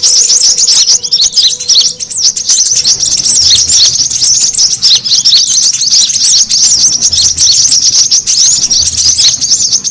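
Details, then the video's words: Brown-throated sunbird lure recording, noisy calling used to draw birds in: a dense high-pitched chorus of rapid overlapping chirps and twittering trills that runs unbroken throughout, many birds calling at once. "SUARA PIKAT KORLAP RIBUT"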